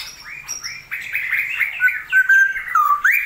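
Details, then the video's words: Straw-headed bulbul, a kept songbird, recorded in a rainy season; rich warbling phrases of slurred, gliding notes, ending in clear whistled descending and rising glides. "CUCAK ROWO GACOR/TIDAK?"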